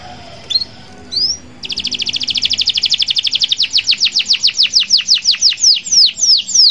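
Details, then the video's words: Local canary in energetic song, used to get other canaries singing: two brief upslurred whistles, then a long rapid trill of high notes that slows and broadens into distinct, loud descending sweeps. "Kenari lokal gacor ampuh bikin kenari lain ikut gacor"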